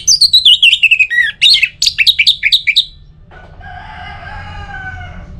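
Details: Orange-headed thrush song used to coax other birds into singing: a fast cascade of descending chirpy whistles, then short repeated notes, followed by a fainter, softer sound with low background noise.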